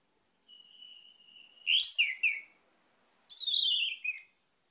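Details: Orange-headed thrush: a long, thin, level high whistle leads into a loud burst of warbled, slurred notes; after a pause comes a descending, rich phrase.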